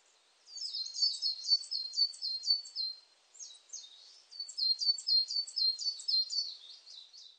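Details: Coal tit calling in two long runs of rapid, high-pitched paired notes. Each note drops sharply, and there is a short gap between the runs, with no other audible sounds.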